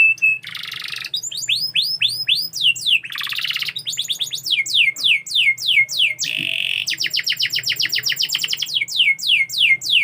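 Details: Canary in full song, pouring out fast runs of rising whistled sweeps, rolling trills and short harsh buzzy bursts, packed closely together and loud throughout.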